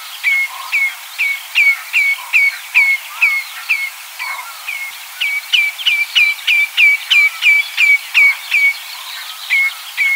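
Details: Common redshank calling: a steady series of short, clear whistled notes that drop in pitch, repeated about three times a second with brief pauses, faint lower chatter beneath.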